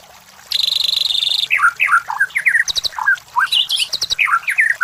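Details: Murai batu, the white-rumped shama, used as a masteran lure to provoke competition birds: a steady high buzzing trill, then quick swooping whistled notes and sharp chips in a lively, varied sequence.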